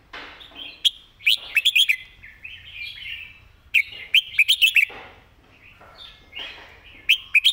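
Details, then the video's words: Master song of a caged red-whiskered bulbul, kept clear for teaching birds: three phrases of fast, loud, bouncing whistles separated by soft warbling, each phrase about two seconds apart. "นกกรงหัวจุก เสียงดี เพลงแม่บทชัดๆ(ไว้สอนนก)"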